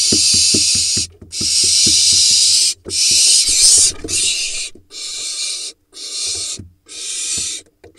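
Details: A barn owl nestling in the Hula Valley, Israel, hatched June 2021, gives loud, rasping hissed shrieks in long bursts, begging and harassing its father as he brings a vole.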